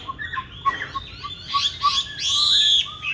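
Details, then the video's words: Chinese hwamei, green-bean-eye type, giving fighting song meant for training other hwamei toward a gentle song: short low whistles mixed with bright, sweeping high phrases and a long sustained high note near the end. "Họa Mi Mắt Lục Đậu Thanh Hót Đấu ( Dùng luyện Mi hót bài êm không gắt )"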